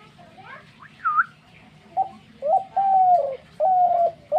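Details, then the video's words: Brief higher whistled notes open the clip before a dove takes over with a short note and then long, low, steady coos that fall a little at the finish. "ঘুঘু পাখির ডাক।Gugu pakhir Dak"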